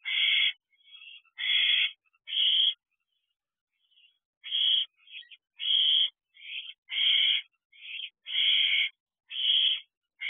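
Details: Barn owl owlet with a big rodent inside a nest box, 10:39 pm, 14 June 2023. Repeated harsh, hissing screeches, about a dozen short rasps in irregular bursts with one brief pause, no other sounds.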